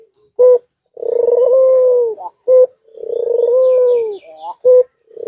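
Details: White dove calling in courtship while nodding: short sharp notes alternate with long purring, slightly falling coos, roughly every two seconds, with faint thin chirps of other small birds in the background.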